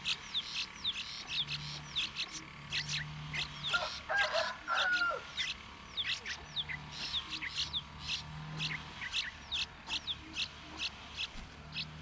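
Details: Hungry yellow-vented bulbul chicks being fed by their mother in the sun, giving a busy stream of thin, high, downslurred squeaks, many overlapping and repeated rapidly, with a short louder flurry midway and a low hum beneath.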